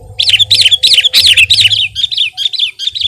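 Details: Sooty-headed bulbul (kutilang) singing actively: rapid, loud, downslurred chattering notes in a tight series that softens slightly toward the end, with a low background hum.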